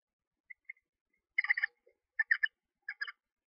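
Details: Two newly hatched screech owl owlets, one to two days old, chirp in a nest box while their mother feeds them. Short, harsh, buzzy chirps come in quick clusters of two or three, several bursts within a few seconds, preceded by faint single peeps.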